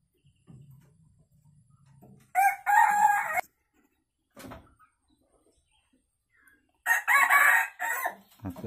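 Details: Young F1 Sumatran red junglefowl rooster just learning to crow, tame and kept in a free-range enclosure, gives two rough broken crows about four seconds apart, with a man talking quietly before and between them.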